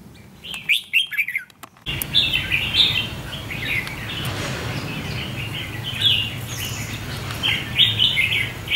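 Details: Red-whiskered bulbul, a decoy bird brought out to lure and tame a wild bulbul in a fighting trap; after a rough handling noise, bright warbling chirps and short whistled phrases repeat over steady low rumble outdoors.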